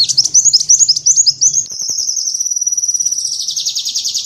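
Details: Sunbird song used as tutor material for training songbirds: a quick run of high, bright chirps for about a second and a half, then a long, even, buzzy trill that holds to the end, with faint low hum early on.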